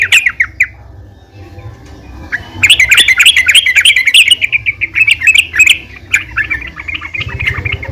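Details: Female yellow-vented bulbul calling out to other bulbuls: a few opening chirps, then a long, fast, bubbling chatter of bright notes that slows into separate chirps.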